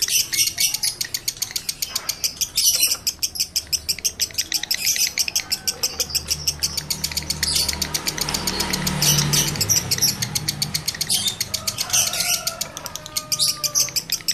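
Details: A breeding-condition male lovebird chatters to stir other males into condition. Dense, rapid, high clicking chirps run throughout, with a few brief whistled notes near the end and a faint low hum beneath.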